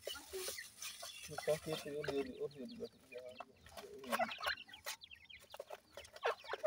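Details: Francolin chicks being fed termites: thin, high, quickly descending peeps repeated in loose bursts, mixed with dry clicking and tapping noises of feeding and handling.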